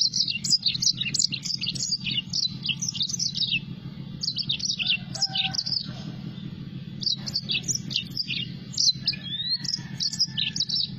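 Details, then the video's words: Lively yellow-fronted canary singing in bursts of rapid, high, jerky twitters and chirps, separated by brief pauses, with a few lower whistled notes and a constant low background hum. "mozambik gacor dor"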